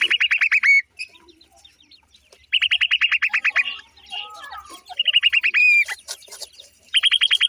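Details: Small brown striped pheasant chicks at play, pursuing each other: loud rapid series of short downslurred chirps, several bursts, each ending in a drawn-out slurred whistle, with scattered soft twitters between.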